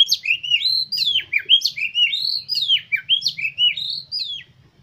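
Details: Oriental magpie-robin singing a rapid, unbroken string of sweet, slurred whistles, each note swooping up then down about twice a second. The recording is played to make kept birds sing and open their tails.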